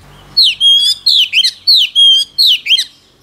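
An oriental magpie-robin sings rich, whistled phrases with quick, slurred notes, repeated in similar bursts.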